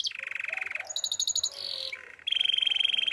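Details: Russian canary song of pulsing buzzy trills at shifting pitches, a brief sustained tone and a bright, even, rapid trill at the end, over a faint background hum.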